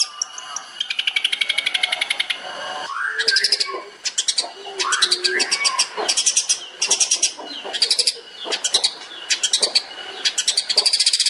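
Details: Long-tailed shrike master song for training songbirds, tembakan style: a long rattling trill, then a varied run of slurred whistled notes mixed with rapid chattering rattles, loud and continuous throughout.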